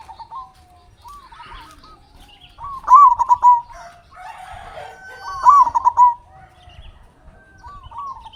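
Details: A local zebra dove sings loudly, used to stimulate quiet captive doves: loud phrases of quick, bubbling coo notes repeated every few seconds, with softer, sliding coos filling the gaps.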